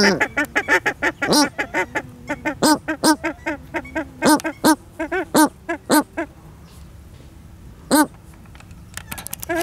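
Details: Captive pair of Paradise shelducks at a waterfowl ranch in Holland: a fast series of nasal, honking calls with rich overtones, tumbling over one another, then sparse single honks against a steady background hiss.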